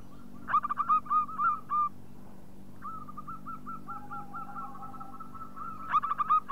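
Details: Local zebra dove, played to lure and prompt other doves to coo, giving short runs of clipped, ringing, evenly pitched notes, a pause, then a longer steady series and a final burst of rapid notes over a faint low hum.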